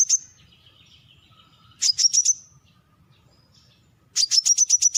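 Brown-throated sunbird giving sharp, high metallic chips, first singly and then in quick bursts of five to seven evenly spaced notes. A faint low hum sits underneath.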